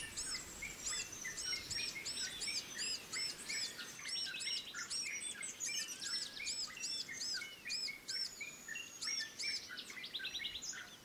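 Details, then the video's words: In forest, a female pied fantail feeds her chicks; a rapid series of high thin arched whistles and chirps runs continuously, with other faint calls behind. "Sikatan Kipas Meloloh Anaknya"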